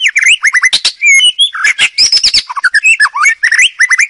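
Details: White-rumped shama singing in the wild, used for training young birds: dense, varied phrase of rapid whistled slurs, harsh scratchy notes and quick chattering, almost continuous across the clip.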